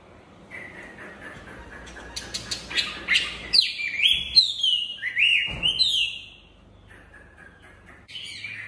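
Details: Chinese hwamei song made of a quiet whistled start and then bursts of loud, sweeping whistles and sharp rising and falling slurs. A short lull comes before a last loud phrase.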